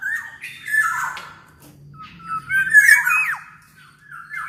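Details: Black-naped oriole song for coaxing other orioles to sing: hoarse squawks and bright whistled slurs in irregular bursts, with a steady low hum underneath.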